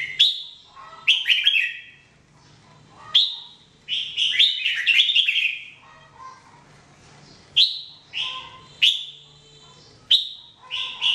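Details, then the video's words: Red-whiskered bulbul, a caged training bird, singing: short bright phrases of warbled, slurred whistles near the upper-middle range, sharp downward-sweeping onsets, bursts every one to two seconds with brief pauses between. "Training Jambul bird singing everyday 2017"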